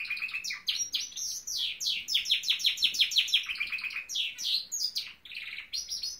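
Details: Pet Norwich canary singing a lively, continuous song of rapidly repeated high chirps, nearly three per second, grouped into trills and rolling phrases with changing pitch.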